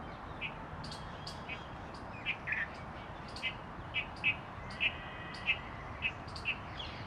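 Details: Oriental magpie-robin in New Delhi, India, recorded 18 January 2021, giving short sharp chirps roughly every half second, some in quick doublets, above a constant low rumble of background noise.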